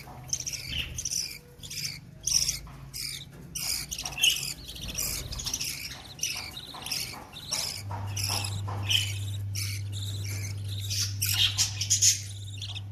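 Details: Budgerigar chicks beg with rapid, raspy, high chirps in quick, uneven bursts while their mother feeds them.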